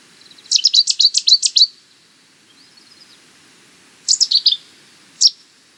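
A Cetti's warbler bursts into a loud, explosive run of about seven sharp, high notes lasting a second, then a shorter burst and a single note.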